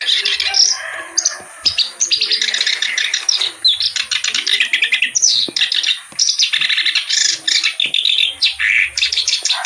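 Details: Reed warbler, known locally as kerak basi, singing energetically in a long, dense run of harsh, chattering and scratchy notes with quick rattles and short whistled phrases, over a steady high-pitched hum.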